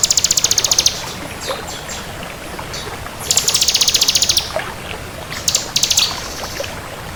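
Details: Crystal bar-winged prinia singing busily: fast, high-pitched rattling trills of evenly repeated notes, one opening, a longer burst mid-way and two brief ones at the close, against a soft steady hiss.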